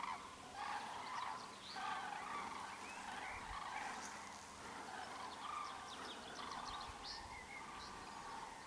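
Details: Common crane group calling, a steady stream of overlapping trumpeting notes repeated about once a second, with a few thin high sounds and a low hum beneath.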